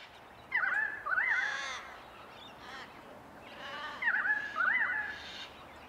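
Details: Pied Currawong in Sydney, Australia, repeating its call: two loud phrases about three seconds apart, each a wavering, warbling whistle mixed with harsh, gurgling bursts, over a quiet background.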